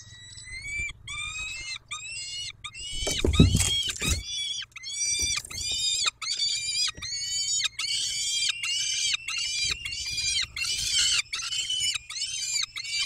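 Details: At Dobra, 11:48 on 19 May 2021, peregrine falcons call during feeding: a continuous chain of rasping, squealing wails, briefly broken by a dull low thump near the start.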